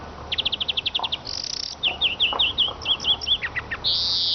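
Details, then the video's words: Lively Eurasian siskin song opening with a rapid ticking series, then a brief buzz, a run of twanging up-and-down twittered notes, and a drawn-out wheezy buzz at the end. "iskete kusu sesi"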